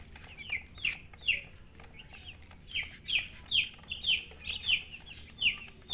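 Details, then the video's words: Chicks chirp with bright, high, falling peeps, more frequent toward the end, several birds overlapping, over a faint background hiss. "Baby "Chicks Chirping" Sound"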